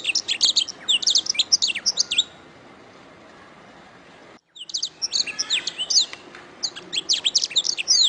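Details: Canary song recorded as a master track for training songbirds: rapid bursts of high, sharp chirps and trilled notes, a silent pause midway, then another dense run of bright twittering phrases.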